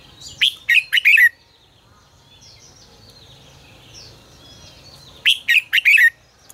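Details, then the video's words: Red-whiskered bulbul singing 'ché căng lửa', a training lure recording: one bright, quick four-note warbled phrase, several seconds of near quiet with faint distant twitters, then a similar loud phrase. "Luyện giọng cho chào mào hót hay -Ché căng lửa cực phê, chào mào hót quá phê"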